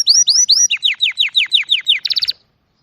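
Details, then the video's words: Songbird with sweeping upward-curved whistles, about three slow slurs followed by a fast series of descending notes and a closing rapid buzzy burst, clean and loud with no background noise. "Sonidos de pájaros☺أصوات العصافير"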